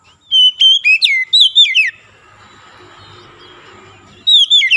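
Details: Oriental magpie-robin (kacer) song played to revive a stressed bird that has stopped singing: a burst of sharp, slurred whistles with falling glides, then a stretch of soft hiss before another loud whistled phrase starts.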